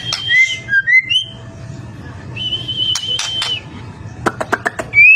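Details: Murai batu, the white-rumped shama, singing steadily as a lure for other shamas: long level whistles and short falling notes, then a quick run of crisp clicking notes, ending on a rising whistle, with faint hum underneath.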